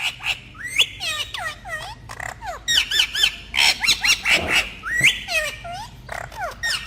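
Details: A group of talking parrots fills the air with busy overlapping squawks, chatter and rising whistled notes in fast irregular bursts.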